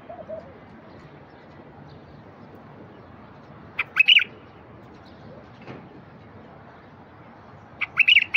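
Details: Wild bulbul singing, used to get silent wild bulbuls to sing: after a long quiet gap, a quick bubbly whistled phrase, then a second similar phrase at the close, over faint background hiss.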